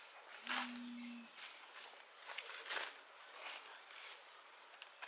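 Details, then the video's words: Long-wattled Umbrellabird, presumably a male, gives one deep, steady, low booming hum lasting under a second while trying to attract a female amid neighbouring umbrellabirds, followed by rustling and hissy background noise. "Long-wattled Umbrellabird singing"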